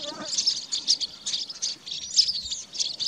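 Chestnut-capped blackbirds give a steady, high chatter of short, squeaky chirps that overlap continuously, as if from several birds together.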